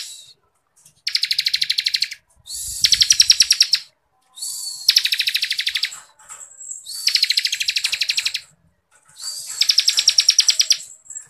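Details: Bar-winged Prinia singing in the dense ngebren style used as tutor song for songbird contests: buzzy, rapidly pulsed high trills about a second long, alternating pitch levels, repeated after short pauses.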